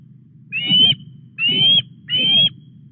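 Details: Osprey calling at a Welsh reservoir nest, Llyn Clywedog, as a headless fish arrives on an August morning; three drawn-out, slightly rising whistles about half a second long, evenly spaced, with low background hum.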